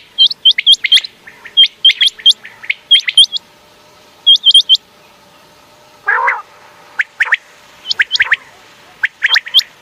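Common quail giving sharp, liquid three-note phrases, 'wet-my-lips', in quick repeated bursts, with one harsher rasping note midway.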